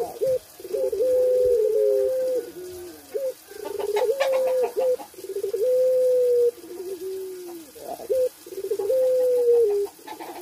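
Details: Caged puter pelung (Barbary dove) in breeding condition repeats several long, level coos, each a few seconds long, separated by clipped short notes and brief pauses; a faint hiss lies behind.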